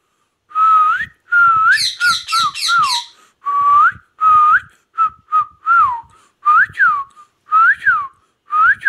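An Indian ringneck parakeet gives a run of clear, speech-like whistled phrases, some rising and falling, with a few raspier word-like bursts, in a quiet room.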